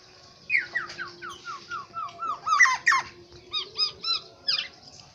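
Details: Black-naped oriole native to Aceh: a rapid run of repeated downslurred whistled notes, several per second, then brighter sharper notes and a closing set of arched whistles, with a faint constant hum beneath.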